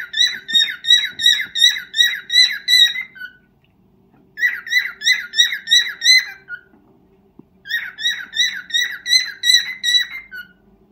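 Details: Pet cockatiel's first serenade to its mate indoors: rapid, regular series of short, sharp whistled notes, nearly three per second, in three runs of about three seconds separated by brief pauses.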